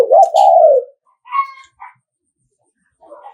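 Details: Decoy spotted dove of Nghệ An stock calling thúc gù: one loud, low, wavering coo phrase bending downward at the end, then a brief buzzy note and faint chirps.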